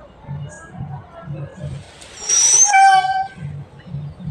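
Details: A dancing peacock (Indian peafowl, Pavo cristatus) gives one loud, nasal, trumpeting wail lasting about a second, over a steady thumping musical beat.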